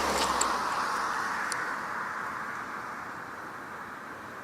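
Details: A car passes and fades, leaving a steady broadband traffic hiss with a few faint clicks, and no animal calls.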